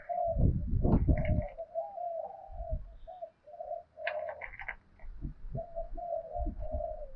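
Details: Spotted dove coos in the 'thổ sấm' voice, meant to rouse wild doves and decoy birds to fight: drawn-out low hums broken by heavy knocking and handling thumps.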